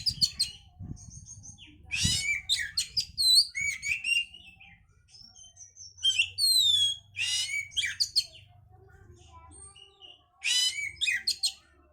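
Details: Oriental magpie-robin singing, used to stimulate breeding condition: varied phrases of harsh buzzy bursts, rising and falling whistles and quick chips in repeated bouts over twelve seconds, with brief quiet gaps and low background hum.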